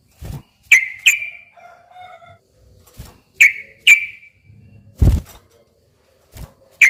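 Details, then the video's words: Sooty-headed bulbul song used to provoke a silent bulbul into answering; sparse, bubbly whistled notes that drop in pitch, given singly or in pairs, with dull low thumps and faint background rustling between them. "kicau suara trucukan gacor ropel panjang ini ampuh buat pancingan trucuk macet agar nyaut bunyi lagi"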